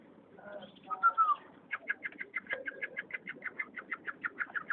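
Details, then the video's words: Chukar partridge (chakor) recorded on 7 April 2012: a short whistled falling note, then a fast even series of sharp clucking chucks, about six per second, with faint voices and background murmur. "Chakor Sound"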